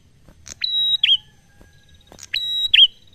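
A prinia gives a long, steady high whistle, then a sharp downslurred chip; the phrase repeats about every two seconds over a quiet background.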